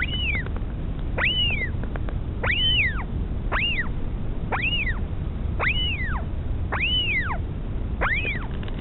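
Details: Northern royal albatross mother feeding her chick at Pukekura/Taiaroa Head, Dunedin, New Zealand: regular high, arching whistles rising then sliding down, repeated roughly once a second against constant low background noise.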